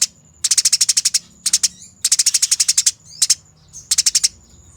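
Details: Eurasian tree sparrow fighting, recorded as a training master: clear, loud rattles of quick scratchy notes, about ten per burst, with brief pauses and a soft high steady whine in the gaps.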